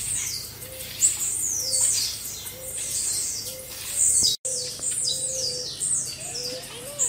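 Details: Blue-black grassquits in a group chorus for training caged birds. Overlapping thin, buzzy, falling notes fill the recording, a low cooing note repeats at intervals, and a short silent gap cuts in midway.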